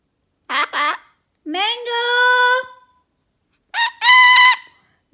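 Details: A male severe macaw, a year and a half old, mimics a laugh: two quick hoarse 'ha' notes, a long drawn-out nasal cry, then another choppy burst of laughing sounds.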